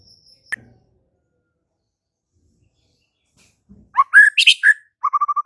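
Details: Song of a white-rumped shama, meant to make a quiet bird answer: a sharp high note after near silence, then loud slurred whistles and a fast string of short repeated notes.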